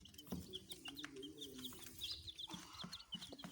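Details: Baby chickens chirping: a steady run of short, high peeps, each a quick sweep, repeated several times a second over a low background hum and a few soft knocks.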